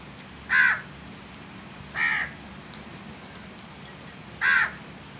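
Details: Crow giving three loud, harsh, abrupt caws about one and a half to two and a half seconds apart, each short and grating, over a constant low hiss.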